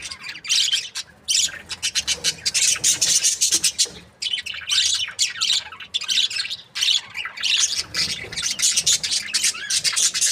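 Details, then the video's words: Happy breeding pair of budgerigars keeping up a nearly continuous stream of harsh, buzzy chatter and squeaky chirps for about ten seconds, broken only by a few brief pauses. "Happy budgie chirping sounds"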